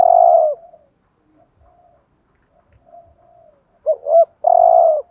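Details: Spotted dove giving decoy coos in the thúc gù style meant to excite other doves. A long husky coo fades out, soft faint coos follow, then a phrase of two quick hooked notes and a sustained low coo.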